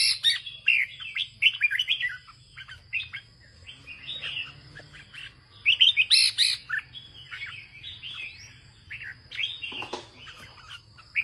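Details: Caged Red-whiskered bulbul owned by a farmer, sung in the northern Vietnamese style: a long run of lively chirped and warbled phrases, several loud bursts near the start and middle, brief quieter gaps, a steady low hum beneath.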